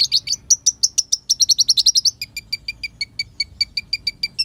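An olive-backed sunbird gives a fast run of sharp, high chirps, then settles into evenly spaced, thin two-part notes about twice a second, with faint low background rumble.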